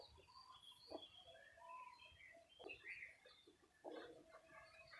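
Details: A pet budgerigar held in the hand chirps in a busy run of short warbles and squeaky notes.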